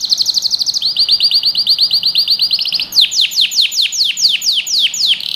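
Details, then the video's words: Young birds' training song from a canary: a fast high trill gives way to a lower, rolling trill, then a series of slower, loud, descending whistled sweeps. "Canary Singing | Melodies Canary Bird Song"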